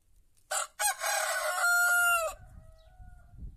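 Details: White rooster crowing loud and close: two short harsh opening syllables, then a long sustained note that ends in a clear steady tone before breaking off, with quiet background afterwards.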